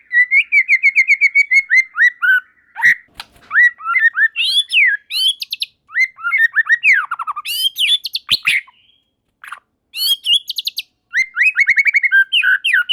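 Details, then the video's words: White-rumped shama (murai batu) in continuous rich song, rapid repeated whistled notes, sharp upsweeps and chattering trills with brief pauses; other shamas join in singing. "Tanpa Nunggu Lama Burung Murai Batu Lain Langsung Ikut Nyambar Gacor || Voice of Murai Batu"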